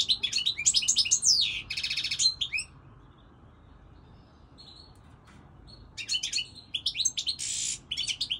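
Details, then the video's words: European goldfinch singing: bright, rapid twittering phrases mixing buzzy notes and quick slurred whistles, then about three seconds of near silence before another tinkling burst of song resumes. "Singing Goldfinch, saka kusu تغريد الحسون الاروع هذا الموسم"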